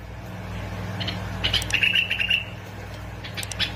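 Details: Bulbul from Basra and Fao, Iraq, in a recording for stimulating bulbuls to sing: a single fluttering phrase of quick, slightly slurred chirps under a second long, amid a low droning hum.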